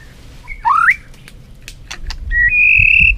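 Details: Brief competitive song of a white-rumped shama with tail flicking: a rising whistled slur, a few clicks, then a long steady pure whistle.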